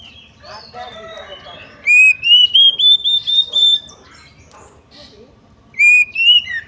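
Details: Female White-rumped shama call meant to provoke males into agitation, singing and fanning the tail: a low, rough chatter, then a run of seven loud whistled notes climbing slightly, and after a pause a shorter whistled phrase.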